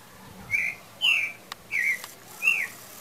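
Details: Pale-breasted thrush, singing as the owner believes breeding season nears: four clear, slurred, mid-high whistled phrases, about one every two-thirds of a second, with a couple of faint clicks between them.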